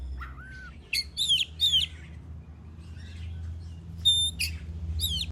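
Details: Oriental magpie-robin song used as a lure to make other birds sing: a soft low slurred whistle, then sharp downswept whistled notes, a pause, and a pure steady whistle followed by more sweeping notes.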